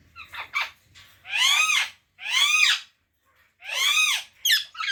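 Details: Parrot screeching loudly, three long harsh arched calls about a second apart, with softer short notes at the start and a clipped call at the end, a faint low rumble beneath.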